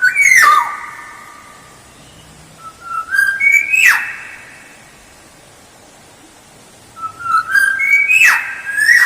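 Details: Lure recording of a black-naped oriole singing: three clear whistled phrases, roughly every four seconds, each rising in steps to a bright peak before a quick downward slur, over faint room hiss.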